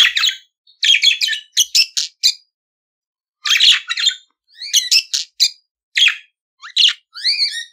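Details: Budgerigar song made of quick chirpy phrases, some with clear rising and falling whistled notes, given in short runs with a pause of about a second near the middle.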